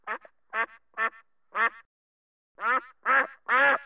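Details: Duck quacking in green-screen footage: loud, nasal, harsh quacks, each short and rich in overtones, some with a soft trailing note. A pause after the fourth, then three longer, louder quacks close together. No other sounds.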